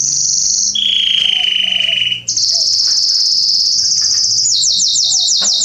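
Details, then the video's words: Canary song from a garden, September 2020: a high sustained trill drops to a lower rolling tour, jumps back high, then ends in quick repeated downward-swept notes. Faint low calls of another bird behind. "Canaries singing in my garden September 2020"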